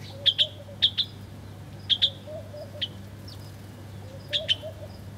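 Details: Wild birds chirping while feeding in the morning, short bright high chirps given singly or in quick pairs at irregular intervals over a low steady hum.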